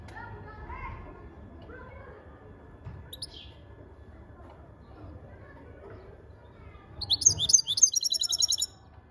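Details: European goldfinch breaking into a lively burst of rapid, liquid twittering near the end, with softer lower chirps and faint background hum in the quieter seconds before.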